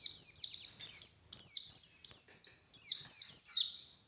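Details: White-eye lure song at morning, high sweeping chirps delivered rapidly in short bursts, each falling in pitch, then fading out.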